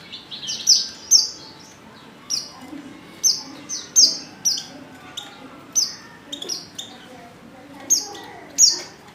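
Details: Lure call of a female Oriental white-eye, meant to prompt males to sing: high, thin downward-sliding chirps, often in pairs, repeated irregularly across nine seconds over a quiet background.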